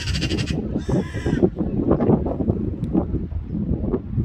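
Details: Black-billed magpie calling: two harsh, raspy, noisy bursts in quick succession, the first about half a second long and the second slightly longer, over a steady low rumble of background noise.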